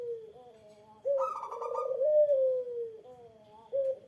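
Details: Eurasian collared dove calling at a rival to make it answer: a quiet bending note, then a rough, buzzy outburst easing into a long smooth coo that drifts downward, followed by another brief higher note.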